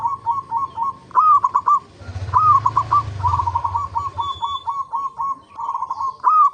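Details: Local zebra dove singing as a lure recording meant to prompt other zebra doves to sing: a rising opening coo followed by rapid staccato cooing notes, several phrases, with a brief low rumbling noise in the middle.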